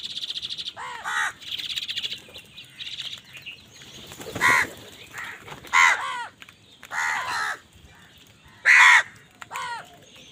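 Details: Crows contesting food: after an opening of buzzy rattling calls, loud rasping caws come singly and in pairs every one to two seconds, harsh and strongly harmonic.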